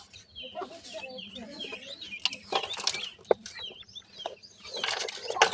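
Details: A cluster of grey francolin chicks gives dense high chirping, many quick down-slurred notes overlapping, joined by rustling and occasional clicks toward the end.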